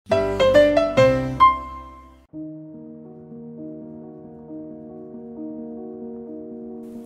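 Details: Only piano music is heard: a few bright struck chords, then sustained, layered keyboard tones with no animal sound.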